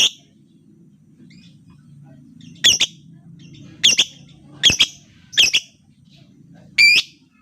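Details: Lovebird lure sound meant to get quiet lovebirds singing: sharp, harsh double chirps in separated bursts about once a second, with a faint low hum underneath.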